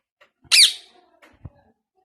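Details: A new pet Indian ringneck parakeet indoors lets out a single loud, shrill screech that bends downward and trails off, followed by quiet taps and shuffling.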